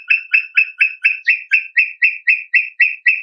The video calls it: SOM DE INHAMBUGUAÇU (Crypturellus obsoletus) Brown Tinamou